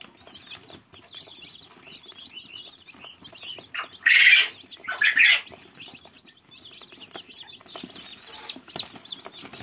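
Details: Fluffy domestic chicken chicks peeping: many thin, high chirps overlap continuously, broken by two loud rustling bursts near the middle.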